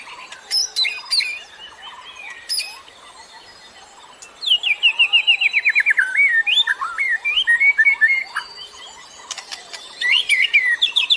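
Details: Songbird used as a lure for other birds, heard after a quiet start: scattered high chirps, then a fast run of rising, buzzy notes repeated rapidly, followed by varied whistled phrases and sharp high chips.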